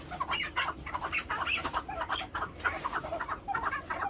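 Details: Several farm-bred chukar partridges kept in captivity utter short, rapid clucking notes in quick uneven series, overlapping one another over a low background hum.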